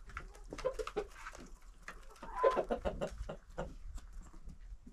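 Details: Village yard flock of about 25 domestic chickens and roosters being fed by a woman; busy pecking clicks with several brief, bright clucks clustered mid-way, trailing off into quieter pecking.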